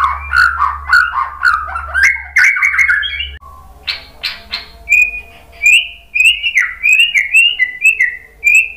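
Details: White-rumped shama singing to provoke other shamas: a rich rapid opening phrase, a pause with harsh notes, then a series of short bright whistled notes repeated about twice a second.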